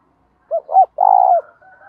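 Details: Decoy spotted dove cooing to call in wild doves: two short hooting notes followed by a longer, rolling, slightly descending coo, with a faint trailing murmur afterwards in otherwise quiet surroundings.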